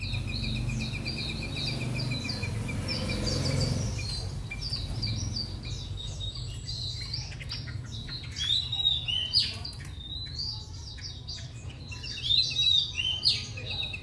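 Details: Caged three-month-old white-rumped shama in Hanoi, fresh from arrival, pouring out a rich run of short whistled and chirped notes, with a fast trill in the first seconds, a loud low rumble early, and a low hum throughout.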